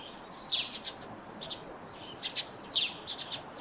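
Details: Wild Eurasian tree sparrow calling near a roof where it nests: bright, sharp chirps in small bursts of two or three, with a brief pause between groups.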